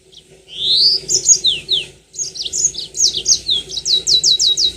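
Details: Yellow-fronted canary pouring out continuous high song, rising slurs leading into a steady rapid series of downswept notes, repeated about five times per second, used as a trigger song for long 'ngerol' singing.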